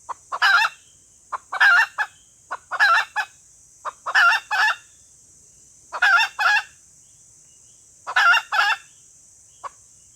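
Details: Red junglefowl hen lure call meant to attract males: a long series of loud harsh cackles, often paired, each led by a soft cluck, with a steady high hiss.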